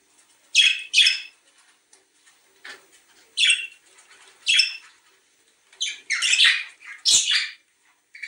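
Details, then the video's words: Budgerigar sounds played to prompt breeding: scattered short raspy chirps and squawks in irregular clusters, growing busier toward the end, with faint clicks between calls. "صوت تحفيزى لتزاوج طيور البادجى وتفاعلهم معه"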